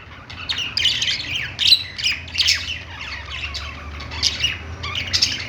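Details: Captive budgerigars singing on a perch in a pet store: dense, overlapping bursts of scratchy, buzzy chirps and short squawks, several birds chattering at once in uneven clusters, over a faint low indoor hum.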